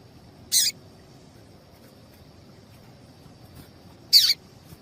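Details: Calling female double-collared seedeater, a sound meant to prompt the male to sing: two brief buzzy high chips, the second slightly longer and descending, roughly three and a half seconds apart.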